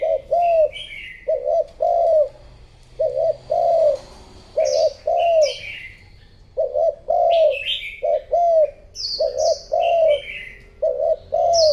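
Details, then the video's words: Female spotted dove cooing to stimulate males. It gives low paired coos in repeated groups every second or so, while other birds add high chirping notes above. "chim cu mái gáy thúc gù kích trống"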